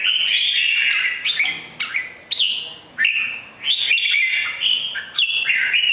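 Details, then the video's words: A three-season captive red-whiskered bulbul from Bình Định, Vietnam, sings at its peak while playing "butterfly wing". It gives a loud, unbroken run of bright, slurred, warbling phrases with quick rising and falling notes, a new phrase every second or so. "Chim chào mào 3 mùa hót đỉnh"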